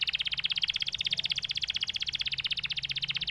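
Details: Canary singing a fast, regular pulsed trill, many notes per second, rich and slightly buzzy, sustained throughout with little change.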